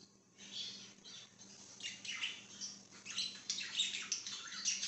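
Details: Budgerigar chirping, dated 5/10/2023: brief silence, then a rising stream of chattering, scratchy high notes and sharp squeaky chirps that grow louder toward the end, over a faint low hum.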